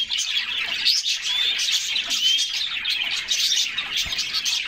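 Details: Bathing canaries in summer keep up an unbroken high-pitched twittering, sprinkled with brief rising whistles and the soft rush of splashing water.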